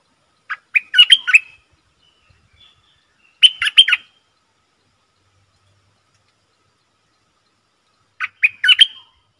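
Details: Decoy Streak-eared bulbul, used to lure wild birds and teach young or silent birds, repeats a brisk phrase of bubbly, slightly buzzy notes three times, roughly every three to four seconds, in otherwise quiet surroundings.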